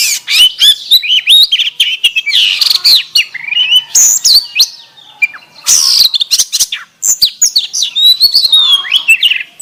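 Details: Oriental magpie-robin singing canary-style material: a continuous, varied warble of high whistles, trills and sharp chips that rise and fall without pause.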